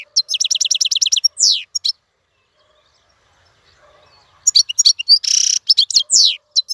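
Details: Wild-caught European goldfinch kept in a cage, singing without pause: rapid bursts of high, twittering notes, a fast buzzy trill and descending slurred whistles, with a long silent gap in the middle.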